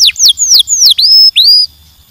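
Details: Brief canary song fragment of long, high, downward-sliding whistles and two dipping, rising swoops before silence.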